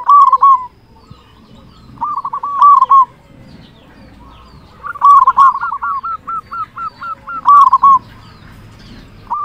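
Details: Loud local zebra dove used as a lure for other zebra doves, repeating short rolling cooing phrases about every two seconds, one stretching into a longer string of quick looping notes.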